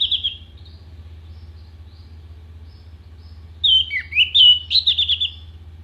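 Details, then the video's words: Orange-headed thrush with mimicked song material for bird contests: a single whistle at the start, quiet, then a tumbling phrase of downslurred and upslurred whistles and twittering notes. "MASTERAN ANIS MERAH GACOR FULL ISIAN TEMBAKAN TAJAM VOKAL JERNIH DURASI PANJANG ISIAN BURUNG LOMBA"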